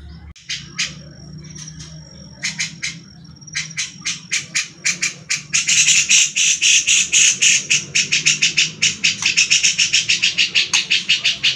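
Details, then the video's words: Grey-cheeked Bulbul giving a fast run of harsh, scratchy chattering notes, about three or four a second, after an opening thin high whistle; this harsh chatter is used as training audio for fighter songbirds such as magpie-robins. "SUARA CUCAK JENGGOT"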